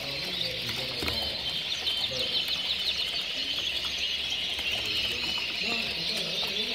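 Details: Several red mosaic canaries in a 2016 breeding setup sing together, a steady wall of quick twittering trills and rolling phrases overlapping without pause, with occasional clicks and soft thumps.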